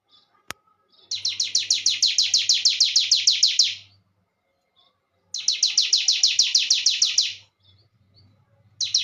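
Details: Sunda warbler song: two bursts of rapid, high, buzzy downslurred notes, each burst lasting about three seconds and separated by a short pause, with a faint low hum beneath and a single sharp click before the first burst.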